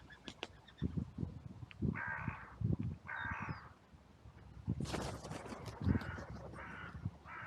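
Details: Crows at a sunny cemetery, recorded on a trail camera during an outcry that followed a brief fight between two crows. A few scattered hoarse caws sound among low thumps and a loud burst of broadband noise.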